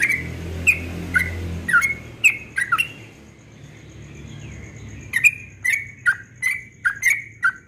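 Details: Yellow-vented bulbul at dawn giving its ropel song: short bright bubbly notes, some sliding down, delivered in spaced bursts with a pause mid-clip, over a faint steady high tone and low background hum.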